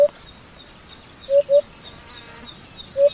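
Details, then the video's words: Hoopoe (Somali guuguule), a bird of all of Somalia: a low hollow hoot, a pause, a pair of hoots, then another, with a faint thin whistled tone and light background noise. "Guuguule | hoopoe | shimbirkii nabi sulaymaan"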